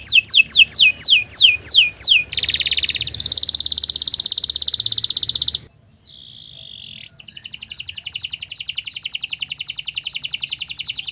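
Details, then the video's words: Canary singing a long varied song: a series of sharp descending whistled sweeps, then a dense buzzing trill held for several seconds, a brief quiet gap with faint notes, then another long rapid trill. "Kicau Burung Kenari 178 II LUAR BIASA GACOR PANJANG Cocok untuk Masteran"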